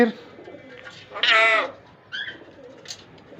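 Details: Talking parrot mimicking human words: a loud, dense harmonic burst lasting about half a second, then two shorter nasal, speech-like notes. Faint room noise sits between them.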